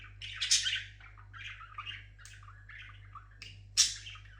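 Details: Singing pet parrot gives a loud grating squawk, then softer twittering and warbled notes, ending in another sharp loud squawk.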